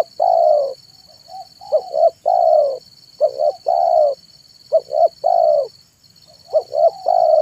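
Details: Spotted dove giving its manggung perched cooing song in the afternoon, used as a lure for wild doves: bursts of low, hollow coos, some doubled or tripled, repeated about every second, over a steady high electronic whine.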